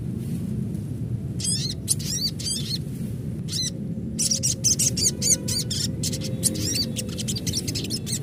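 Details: An adult crimson sunbird (Aethopyga siparaja) gives a natural call used as a lure: bursts of rapid, very high, thin twittering notes, then a longer run of sharp chips, over a steady low rumble.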